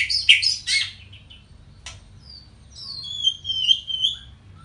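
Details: White-rumped shama singing a "Panji Semerang" style song: rich whistled and chattering phrases, a burst of harsh notes, then long sliding whistles and a sustained warbling trill.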